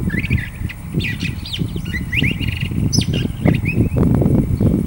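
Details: Curve-billed Thrasher song of rapid, varied phrases with upward-sweeping whistles and brief buzzy trills, over steady low rumbling noise.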